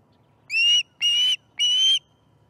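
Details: At the nest around breakfast-fish time, 18 September 2019, an osprey gives three evenly spaced whistled notes, high and steady with a faint rise, each lasting about a third of a second, over quiet low background hum.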